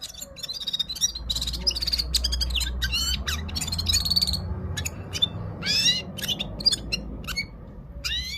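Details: Gulsar of Parachinar in the Himalayas singing: bursts of high chirps and upward-sweeping whistles broken by short silences, over a steady low rumble of background noise.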